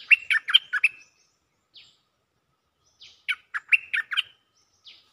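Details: Cream-vented bulbul calling for a mate with two quick phrases of five or six liquid, bubbling chirps, about two seconds apart, and soft buzzy notes in between.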